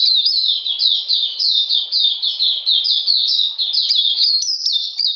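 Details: Captive Oriental magpie-robin, cold rainy weather, 13 June 2020: continuous rapid series of bright, high descending whistles, closely spaced and rhythmic, with faint low clicks beneath.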